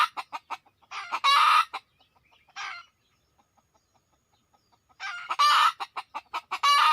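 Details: Wild red junglefowl drawn in by decoy hunting: two clusters of loud, rasping squawks with quick staccato clucks, separated by a near-silent stretch with faint soft clucking.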